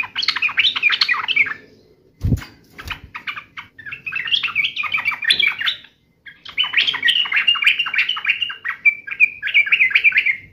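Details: Sooty-headed bulbul singing agitatedly in fighting mode, with busy chattering phrases, a loud thump, then a long run of bright repeated warbles.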